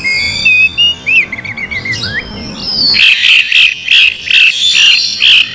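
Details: Slowed Oriental magpie-robin song used to goad a reluctant bird into singing and fighting: twittering wavy notes at first, then harsh rhythmic chattering notes repeated about twice a second in a steady series.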